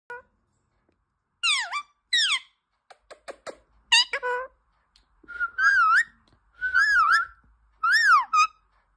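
A Rose-ringed parakeet gives sharp, downslurred squawks, a few clicks, then longer wavering whistled notes, roughly one call every second, with no other sounds.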